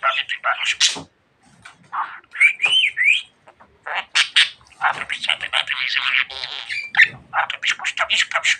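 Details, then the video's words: Budgerigar kept as a pet, talking a lot: blurred, buzzy speech-like phrases with a few looping whistles, a brief silence near the start, then continuous warbling chatter. "Muhabbet Kuşu Çimen Çok Konuşuyor.~Budgie Grass Talks a Lot"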